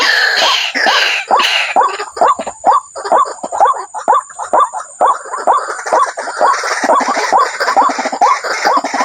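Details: Waterhen giving a steady run of brief rising notes, roughly two per second, overlapping and repeated throughout, with a faint constant high tone behind.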